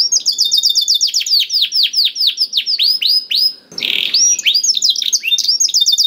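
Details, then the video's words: Canary singing used to trigger song in a quiet canary: repeated high slurred whistles falling in pitch, a short harsh grating burst near the middle, then resumed quick chirping trills. "PANCINGAN KENARI SUSAH BUNYI AUTO NYAUT GACOR TANPA HENTI || VOICE OF CANARY"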